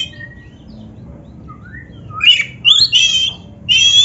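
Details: Black-breasted Oriental magpie-robin on a lure recording for caged birds: quiet thin whistles at first, then three loud buzzy, rasping phrases with brief gaps between them.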